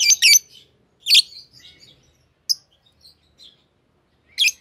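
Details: Green Fischer's lovebird pair, pets, giving a few loud shrill chirps separated by quieter twittering notes and silent gaps.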